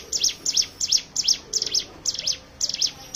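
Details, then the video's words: Song of the hill prinia, used to lure other birds into singing: rapid high paired chips repeating nearly three times a second, sharp, with short falling tails. "pancingan ciblek gunung bahan ombyokan"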